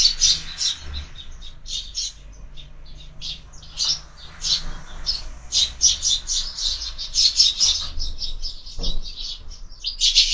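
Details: Lively morning chatter of sparrows feeding at a window feeder, rapid overlapping chirps running steadily throughout, with a low thump near the end.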